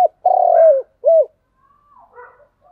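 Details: Spotted dove giving its thúc gù cooing: a long, loud, low hooting coo that slides slightly down at the end, then a shorter arched coo, followed by faint soft murmurs.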